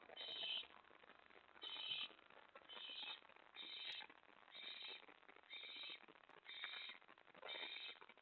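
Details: Nest of an owl on the night of May 24, 2017, with prey being delivered to an owlet. Quieter breathy screeches come at fairly steady intervals, about eight in eight seconds, with soft background rustle.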